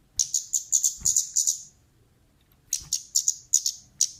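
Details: Lure call of a female orange-headed thrush, used to draw in other birds: a fast run of thin, piercing high chirps, a pause of about a second, then another burst of similar sharp notes.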